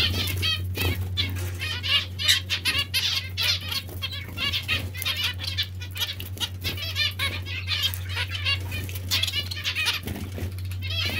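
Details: Captive zebra finches or Bengalese finches at bath time, giving dense overlapping nasal, harmonic chirps almost without pause, with wing-splashing flutters and a steady low electrical hum behind.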